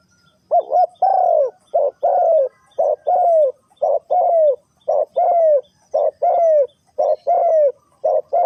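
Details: Spotted dove in '3 kuk hoi' style: a string of mellow coos, short notes alternating with longer downward-curving ones, repeated briskly and regularly about once per second.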